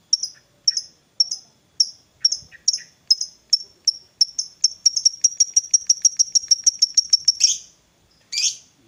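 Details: Fighter lovebird 'ngetik' into 'ngekek', played to stir a lazy lovebird: sharp high ticking notes about half a second apart that speed up into a rapid rattling trill, ending with a harsh squawk.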